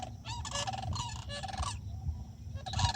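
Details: Night cries of Florida sandhill cranes, loud trilled rattling bugles in quick overlapping bursts with brief pauses, low steady hum underneath.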